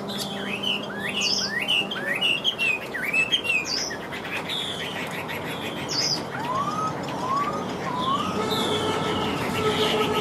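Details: Caged Chinese hwamei in northern Vietnam, said to sing nonstop once its cage is hung out. Repeated hooked, rising whistles in quick series, then lower upslurred notes near the end over a steady hum.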